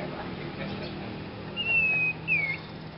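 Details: Novice Sirpu with a strange voice: one drawn-out, gently descending whistle, then a shorter falling whistle, clear above a low hum.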